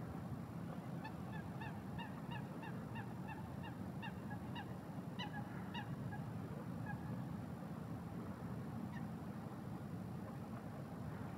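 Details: Eurasian coot calling a quick series of short, nasal, honking notes for about six seconds, followed by a few scattered single notes, over steady low rumbling background noise.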